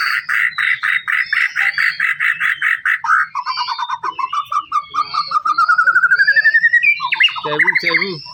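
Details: White-rumped shama song meant to stir rival shamas to sing: a steady series of about a dozen clipped notes, then a rising run of quick repeated notes, ending in harsh lower chatter.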